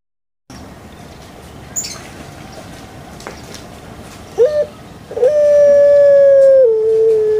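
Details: Kept puter pelung dove: after a hushed background, a short note leads into a long, steady, hollow coo that steps down lower and holds to the end.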